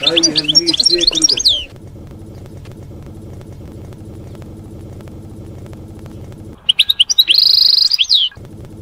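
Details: European goldfinch singing campero-style field song, used to teach young birds during moult: a short burst of twittering, liquid notes, then a long pause with low hum, then another bright tinkling phrase.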